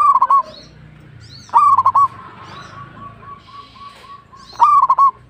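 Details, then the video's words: Local zebra dove (perkutut) singing hard: three loud phrases of low rolling coos, each with a rising opener and stuttered coos, while a softer distant dove coos steadily in between and other birds chirp faintly. "PERKUTUT LOKAL GACOR"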